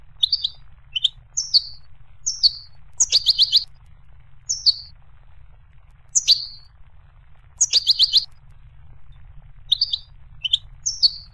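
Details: Goldfinch giving scattered, sharp high chirps and little rising slurs, now and then a quick ticking cluster, spread irregularly across the recording with quiet gaps.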